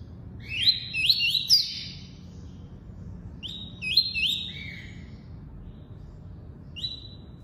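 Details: Tuí-tuí song of a double-collared seedeater. Quick bursts of sharp rising whistled notes, each sliding into a drawn-out buzzy tail, come in two clusters of three. A single rising note follows later, over a faint low background hum.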